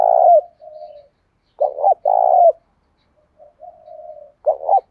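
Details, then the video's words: Cooing spotted dove in 'đồng pha' style, meant to spur fighting and get other cage birds singing: low mellow phrases of a doubled short note plus a drawn-out coo, separated by softer murmured notes, repeated about every two seconds. "Chim cu gáy ĐỒNG PHA thúc đấu rút bổi"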